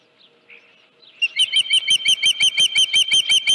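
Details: At the Dunrovin Ranch nest, with a headless fish on 31 July 2018 near 9:43 AM, an osprey gives a few soft faint notes, then launches into a steady run of loud, shrill, whistled chirps, closely and evenly spaced.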